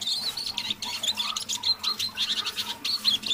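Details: A pet Eurasian siskin singing softly in the evening, warming up as it goes, gives a quick, unbroken stream of high twittering and chattering notes with short buzzy phrases mixed in; no other sounds intrude.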